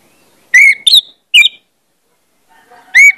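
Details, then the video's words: Orange-headed thrush lure song for prompting birds to sing: three loud, quick whistled notes, some rising and some falling, a brief gap, then a single strong whistle with faint background chatter. "pancingan anis merah bikin cepat ngeplong"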